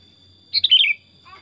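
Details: A pet, tame and chatty sooty-headed bulbul (Pycnonotus aurigaster) sings one quick, bubbly half-second phrase of chirping notes over a thin, steady high whine, described as its natural forest song.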